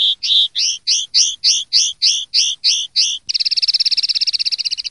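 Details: Common linnet singing a clean 'limpio' style song for silvestrismo, 2023/2024 recording: about ten bright, rising-falling chirps repeated quickly and evenly, then a fast buzzy rolling trill held for nearly two seconds.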